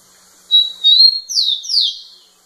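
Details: Rufous-collared sparrow song directed at a female: a thin, level whistled note followed by two broad, descending slurred whistles, delivered loudly and clearly.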